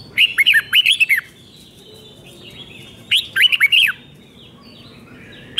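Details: Five-syllable 'double' song of a Thai red-whiskered bulbul, played for chicks to imitate: two phrases of sweet, slurred whistles about three seconds apart, each with a quick run of notes, and a single note closing.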